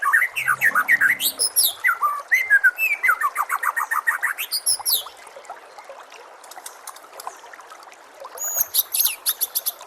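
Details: Varied white-rumped shama song as training audio: rapid bursts of high, sharp, ringing notes mixed with lower slurred whistles, a quieter mid-section of soft chips, then a high ringing burst at the end.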